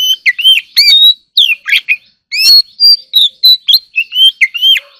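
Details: Oriental magpie-robin in a singing contest: loud, varied whistled phrases with sharp upslurs and downslurs, harsh chattering notes and a brief pause midway.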